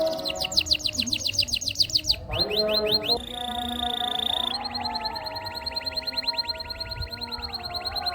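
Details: Canary song for training and prompting lazy canaries to sing: rapid high chirp series, a steady buzzy held note, then long even trills, mixed with low continuous tones in the background.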